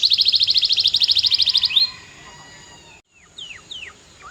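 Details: Powerful canary song opening with a fast, even rolling trill of about twenty-five notes in under two seconds. A rising whistle follows, then a brief silent break before several scattered downward-slurred chirps.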